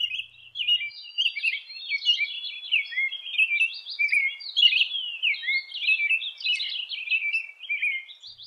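American Robin singing a steady run of clear, warbled phrases, roughly one or two each second. The phrases are mid-high and rise and fall, the familiar 'cheer-up, cheerily' pattern.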